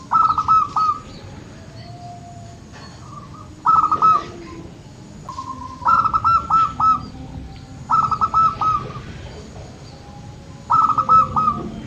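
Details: Local zebra dove calling to encourage lazy birds: repeated short bursts of fast, clipped coo notes roughly every two seconds, alternating with softer, lower single coos from other doves nearby.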